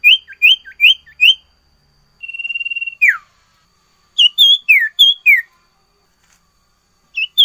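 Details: Sirtu singing busily, full of varied phrases: quick rising whistled notes repeated, a steady buzzy pulsed trill lasting about a second, then a sharp falling whistle and a run of clear slurred notes.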